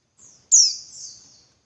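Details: Single call of a female Javan white-eye meant to provoke males to sing: a faint high note, then a loud, sharp downward-sweeping chirp drawn into a thinner trailing whistle.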